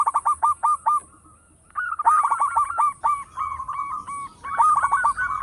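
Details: Local zebra dove, a loud singer kept as a lure for other birds, giving rapid runs of short, hooked cooing notes in quick staccato bursts separated by brief pauses, with a steady faint high whine in the background.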